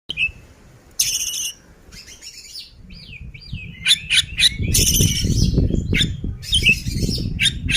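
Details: Oriental magpie-robin, described as ngobra and singing vigorously, gives harsh buzzy bursts mixed with short whistled slurs and rapid chirps, rising in density after four seconds over a low rumbling background noise.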